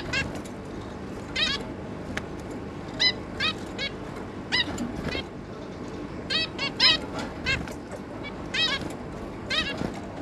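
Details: Zebra finch parents with three juvenile offspring, recorded 11 May 2022; nasal, trumpet-like beeps come in irregular clumps, several quick runs mid-clip, over steady low-pitched noise.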